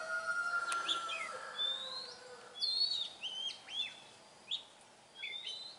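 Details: Oriental magpie-robin singing in the wild: clear whistled notes, some rising and some falling sweeps, in short separated phrases with brief pauses, over faint steady background hiss; a low voice is heard near the end.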